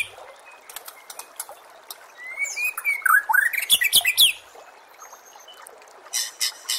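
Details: White-rumped shama song used as masteran training for contest birds: a short run of bright rising and falling whistles and quick chirps in the middle, between quieter scattered ticks and a faint background hiss.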